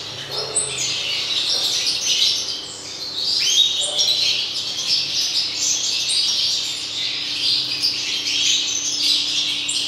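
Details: European goldfinches in 2019 pour out lively liquid twitters, sharp chirps and short rising slurred notes, layered in a busy continuous flow with a faint steady hum beneath.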